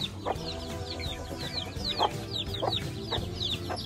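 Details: Week-old chicks out free ranging beside their protective mother hen in Sialkot, Pakistan, feeding together; high falling cheeps come in quick bursts, low soft clucks sound about every half second, and music hums underneath.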